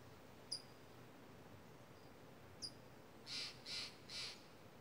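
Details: Loud, talkative crows, one of two, raise a commotion among misty mountain redwoods where a hawk sits in a tree. Three harsh, evenly spaced caws come in quick succession near the end, after faint high tinkles of wind chimes over soft wind.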